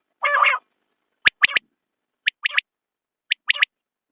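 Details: Common quail call: a buzzy, rasping opening note, then three crisp high phrases of one sharp note plus a rapid double, evenly spaced near one per second.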